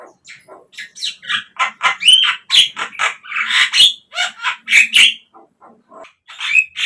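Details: Javan myna song serving as a lure for caged birds: rapid, uneven chattering notes, about four per second, with grating squawks and brief whistled slurs, fading to sparse calls near the end.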